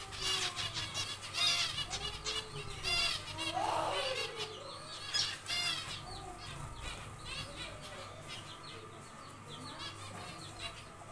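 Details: Zebra finches in a small aviary on their second day of nest building: several birds giving short nasal, harmonic-rich beeping calls in quick irregular bursts, busiest early and thinning later, over a steady low electrical hum.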